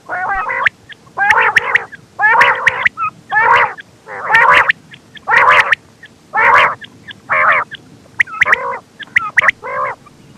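A quail gives harsh, buzzy notes in short bursts about once a second, with a steady low hum underneath.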